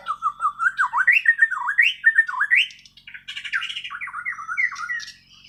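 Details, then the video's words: White-rumped shama, Bornean form from Kalimantan, singing without tutor recordings: clean looping whistled notes in quick undulating succession, a brief pause, then a scratchier, more tangled run of phrases; a quiet background. "Kicau Burung Murai Borneo island"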